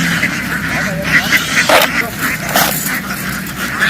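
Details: Farm ducks in a field, running into the water and quickly jumping back ashore, loud and noisy; harsh broadband quacks burst out over a dense, steady flock din, with a faint human voice in the background.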